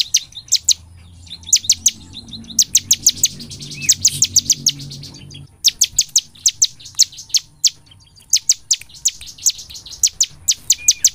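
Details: Cinereous tit (ciblek) in energetic full song, used as a lure to make other birds sing day and night: rapid bursts of sharp high chirps repeated in clusters, with a faint low hum underneath.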